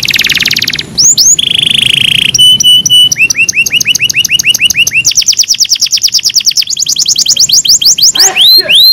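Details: A canary sings for a training recording meant to improve other canaries' singing: a loud varied song of buzzy rolls, a steady held tone, then long runs of rapid repeated rising notes, changing speed from tour to tour.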